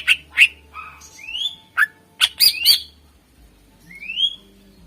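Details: Greater green leafbird singing energetically, a recording meant to lure contest birds: a varied sequence of sharp chips and clear whistled notes sliding upward, some overlapping, ending with one long rising whistle after a pause.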